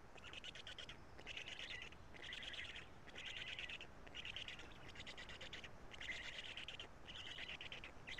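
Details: At a Karula nest, early afternoon of 2 June 2017, a male black stork feeds his chicks; harsh, scratchy call bursts repeat roughly once a second in a regular pulsing series over constant low rushing noise.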